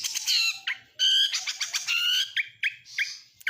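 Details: Oriental magpie-robin of the Kacer Nasional type, singing a song full of imitations of lovebird, canary and prinia. High, rich phrases: buzzy harmonic notes, clear whistled slurs and sharp chips in quick, irregular succession.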